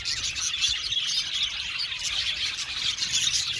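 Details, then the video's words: Aviary budgerigar colony, crowded chirping and soft chattering from numerous birds forming a steady, high, hissing babble. "Beautiful budgies chirping sound"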